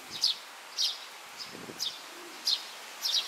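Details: Young Oriental greenfinch foraging in grassland, late May 2023: thin, high descending chirps about every half second to 0.7 seconds, with a faint low rustle in between.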